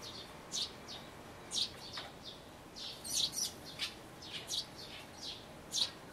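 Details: Sparrow nestlings close to fledging in a birdhouse, recorded 12 May 2012 on an Everio camcorder: short, high, sharp chirps given irregularly, roughly one every second or two, with fainter chirps between the loud ones.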